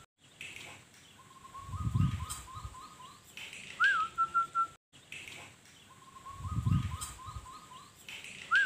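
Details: Wild local Zebra dove (perkutut) singing in Sukowiono village, Tulungagung, found on the way home from work; it was once kept as a pet and released after its owner died. Soft, rapid run of short cooing notes, then a brief rising-falling whistle, heard twice over low rumbling.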